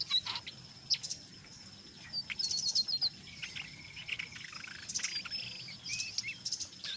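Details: Brown jongkangan chattering in ngeriwik style, a lure to set other jongkangan singing: fairly faint, scattered high chips and short twittered trills with brief whistled notes over a light background hiss.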